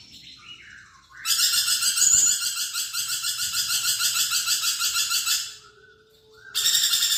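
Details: Vocal lorikeet, kept as a songbird. A few soft sliding notes lead into over four seconds of loud, rasping screeches pulsing steadily about three times a second. A short pause follows, then the harsh chatter resumes.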